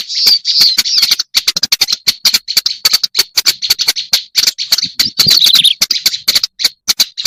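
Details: Black-browed reed warbler in a lure recording: harsh, scratchy high chatter mixed with rapid clicks, with a falling slurred phrase about two-thirds through and choppy gaps toward the end.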